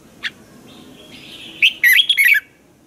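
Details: Red-whiskered bulbul from Thailand, a caged bird singing a training song: one short note, a faint thin whistle, then a rapid burst of five or six clear warbled notes near the end.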